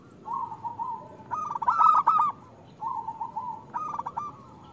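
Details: Local zebra dove singing as a lure to get hesitant doves calling: a softer cooing lead-in rising into a loud rattling trill of coos, then the same pattern repeated after a brief silence.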